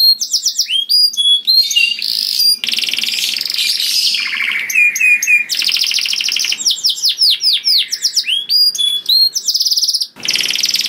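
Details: Loud, melodious canary song used to lure other canaries, mixing buzzy rapid trills, clipped chirps and quick downslurred whistles in varied bursts, with brief pauses between phrases.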